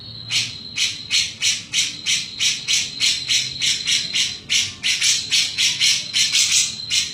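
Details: Chattering 'mbeset-mbeset' song of a grey-cheeked bulbul, locally cucak jenggot: rasping, hissy notes in quick succession, roughly three a second, uneven in spacing and loudness, with a steady high whine running underneath.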